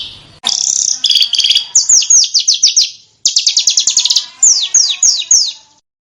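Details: Small bird song on a master recording meant to teach competition cage birds sharp, fiery 'tembakan' phrases: high rapid trills, then bursts of quick descending whistled notes in fast series, with brief silent breaks between phrases.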